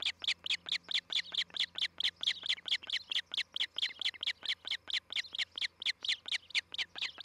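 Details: Osprey on its nest in Charlo, Montana, recorded by a nest camera on July 11, 2018: a steady, evenly paced string of loud, sharp whistled chirps, about four each second, with little background noise.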